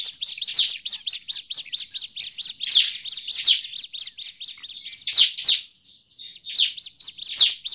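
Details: Noisy calling of Bar-winged prinia, used as a lure: a fast, continuous rattle of high, piercing chirps with irregular louder peaks throughout.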